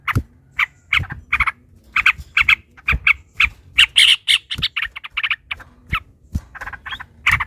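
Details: Yellow-vented bulbul giving long, excited 'ropel' chatter meant to provoke rivals into answering. Steady series of harsh double and triple chirps repeat about twice a second, loudest near the middle, with low thumps beneath.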